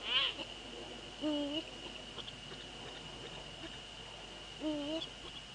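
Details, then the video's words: Eurasian eagle-owl male calling by a female near the nest, Netherlands, night of 15 February 2013; two wavering, slightly rising calls about three seconds apart, a sharp squeak at the start, continuous high whine behind. "eagle owls NL 2013-02-15 04:40 male visit-female near"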